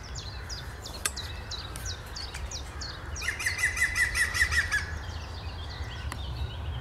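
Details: A European green woodpecker gives morning calls on 11 April 2021, a ringing, laughing series of about ten quick notes falling slightly in pitch; another small bird chirps repeatedly over a low rumble.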